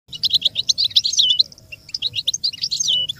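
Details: American goldfinch song from a tape meant for teaching chicks and songbirds: rapid high twittering phrases, sweet and chattering, with a short pause near the middle before the twitters resume.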